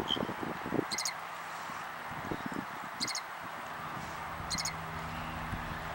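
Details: Loggerhead Shrike singing in southwest Florida on 6 April 2013, a bird that dive-bombs a nesting eagle: short, harsh, squeaky notes repeated about every 1.5 seconds, over steady background hiss and low rumbling.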